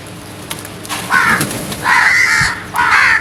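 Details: Early morning crow cawing, three loud rasping caws, the later two drawn out and harsh, with a low background hum.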